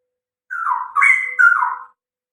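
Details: Straw-headed bulbul, known locally as cucak rowo, singing vigorously: a short rich warbled phrase of three bubbling, slurred notes, rising and falling, in an otherwise quiet setting.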